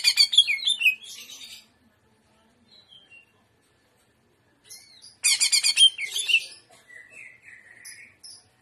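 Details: Greater green leafbird singing 'gaya udang' trotolan: a loud burst of crowded high chatter and whistles, a long pause with faint notes, then another rapid shrill burst trailing into softer twitters.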